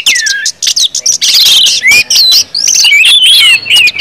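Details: Orange-headed thrush singing 'ngeplong', a full continuous song used to make other birds sing: a descending whistle, then buzzy chattering bursts and clear curling whistles, loud and fast.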